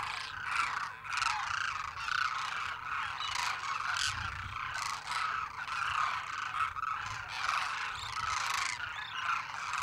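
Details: Massed demoiselle cranes, migratory birds ranging from the Black Sea to Mongolia, give rattling, guttural croaks in dense overlapping waves from many individuals, rising and falling in loudness, with a low constant hum behind.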